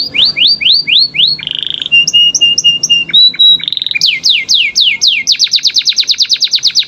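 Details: Canary, training song for young canaries: series of descending whistled notes, a buzzy trill, held pure tones, then long rapid rolling runs of repeated notes speeding up toward the end.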